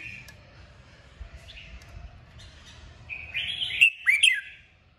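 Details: Red-whiskered bulbul song in the kích bổi style, used to stimulate other birds to sing: faint scattered notes, then a loud burst of bright, warbled, rapidly rising and falling whistles near the end.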